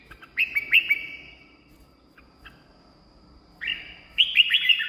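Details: Red-whiskered bulbul song used to excite caged birds or attract wild ones: a phrase of loud whistled notes, soft scattered chips, then a second rapid whistled phrase after a pause.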